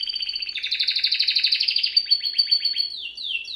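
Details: Canary delivering a dense, rapid rolling trill with pulses many times per second, shifting into fast falling strokes and ending with a couple of downward-slurred whistles.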